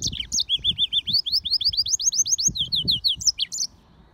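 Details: Song of a yellow-fronted canary crossed with a domestic canary: a steady, rhythmic trill of bright, high, upward-curving notes repeated about five per second, ending in a few sharper chirps.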